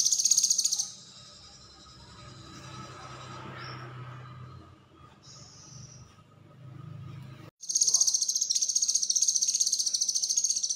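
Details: ['Konslet-style singing by a cucak kinoi used to tutor other songbirds: a brief burst of fast, high, buzzy chatter, a long low rumbling lull with a few thin whistles, then the rapid pulsed chatter resumes strongly.']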